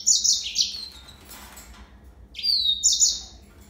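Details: Yellow-fronted canary (Serinus mozambicus) giving a short high trill, a quiet pause, then a rising whistled slur and another brief sweet trill.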